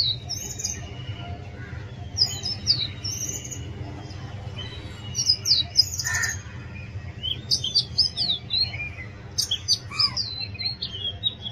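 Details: Oriental magpie-robin song: loud, varied whistled phrases high in pitch, with quick rising and falling slurs and short chirps given in bursts, over a steady low background hum.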